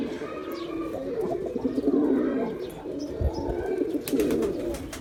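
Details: Male pigeon giving low, throaty coos that swell and fade across the stretch, with brief faint clicks and chirps.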